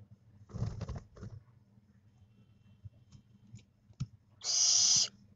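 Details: A 25-day-old barn owl owlet, losing its down, gives a single harsh, breathy hiss lasting under a second, after low rumbling knocks and a few faint clicks.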